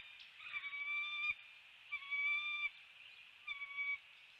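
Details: Bald eagle on a nest camera, NEFL, early morning of 29 February 2020 at 7:04 am, when a live fish is delivered. Three drawn-out, level whistled calls, each under a second, evenly spaced about every second and a half, over steady faint hiss.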